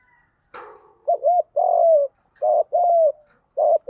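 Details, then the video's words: Spotted dove fighting coo in field style, played to attract wild doves: a soft thump, then rapid paired coos with looping short notes and longer falling hoots, repeated three times in quick succession. "Chim cu gáy giọng đồng gù đấu liên tục dúp bổi ức chế rất cao"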